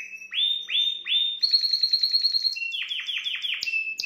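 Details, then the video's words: Singing canary, its song used to excite a female: loud bright whistles sliding down, then a dense rapid trill of clipped notes, then more descending swoops and a sharp high buzz near the end. "Exciter votre femelle de canari"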